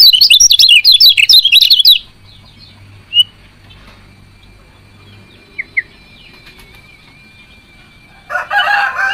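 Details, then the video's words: Chirping of a female lemon-bellied white-eye, used to prompt males to sing: a rapid string of high chirps for two seconds, then quiet with a few thin notes, ending in a rougher, lower burst. "CIAK KECIAL KUNING BETINA"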